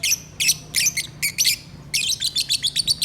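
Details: Singing pet lovebirds give loud, harsh, high chattering chirps in dense clusters, a brief gap, then a fast run of about eight squeaky notes, steady hum beneath.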